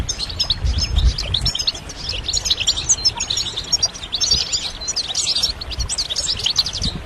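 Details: Stimulation song of a European goldfinch, rapid liquid twittering and jangling high notes in unbroken busy phrases for about seven seconds, over a soft low-frequency background hum.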